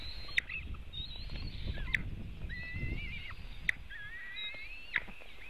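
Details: At a webcam-watched White-tailed eagle nest in Latvia, eaglets fed on a June 2018 afternoon: quieter high whistles, some wavering, interrupted by a few sharp clicks, over steady low rumbling.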